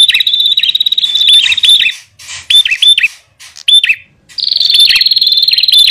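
Bar-winged prinias, male and female, give loud, shrill, high chattering notes in fast rattling bursts, with short pauses between runs.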